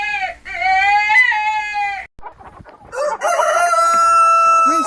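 A rooster crows twice: a long, harsh, sustained note that rises slightly and holds, then a second drawn-out crow after a short break with faint voices.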